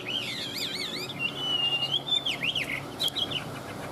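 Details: Pet Chinese hwamei singing in its cage, excited. Quick, warbling whistles loop up and down, followed by a long drawn-out whistle and a few sharp downslurred notes, with a low steady hum underneath.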